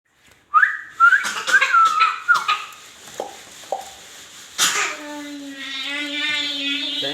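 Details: Rose-ringed parakeet talking indoors: a run of bright whistled notes stepping downward over about two seconds, then short voice-like syllables and a long, steady, harmonic-rich tone near the end.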